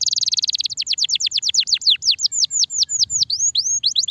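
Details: Starblue canary singing a long, energetic song: a fast buzzy trill opens, then a rapid series of high, sharply descending whistled notes repeated about five per second, clear and loud with no other sounds.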